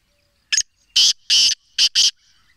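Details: Black francolin in Sindh, Pakistan gives a harsh, rasping five-note phrase: a brief clipped note, two long grating notes, then two shorter ones close together, in clean quiet surroundings.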